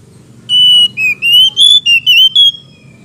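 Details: Oriental magpie-robin male and female singing back and forth, a phrase meant to provoke other magpie-robins into anger and song: a clear, sustained whistle followed by a quick run of warbled, slurred whistled notes with harmonics over faint low hum.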